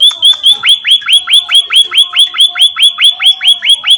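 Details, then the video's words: Munia in vigorous song outdoors: a metronomic run of loud, high chirps, about three per second, mostly down-slurred notes with a faint high tick above each. "Suara burung emprit / Pipit gacor cuyyy"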